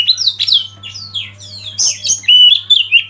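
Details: Oriental magpie-robin singing as a lead bird to provoke others: varied whistled phrases sliding down from high notes, a burst of harsh notes, then short rising whistles; steady low hum underneath.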